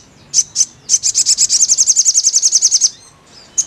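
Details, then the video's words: Crimson sunbird singing, used as therapy audio to coax a bird into song: a few high, sharp chips, then a fast, even, high-pitched trill of about twenty notes over two seconds, one last chip after a pause. "TERAPI BURUNG SOGON BIAR CEPAT GACOR"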